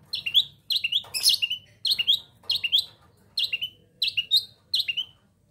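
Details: Young long-tailed shrike from East Java, in breeding condition, repeats a bright down-slurred chirp phrase about eight times, roughly every two-thirds of a second, with occasional harsher rasping notes.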